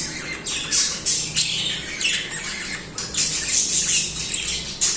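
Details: Continuous singing from pet budgerigars: high, buzzy chirping and squeaky warbles in rapid bursts, sharp loud squeaks marking each burst, constant chatter with a faint hum beneath.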